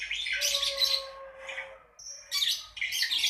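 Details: Lovebird ngekek used as a singing prompt for young beginner birds: bursts of shrill, rasping chatter separated by a quieter stretch, with a thin steady whistled tone sustained beneath the first half and a short pure note before the final bursts.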